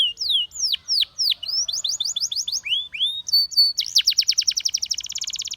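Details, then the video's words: Canary of Russian singing type in song aimed at luring other canaries: strong descending whistled sweeps, a run of quick chirps, looping slurs, then a very fast high rolling trill. "A Special Canary to Seduce All The Canaries - The Russian Singing Canary"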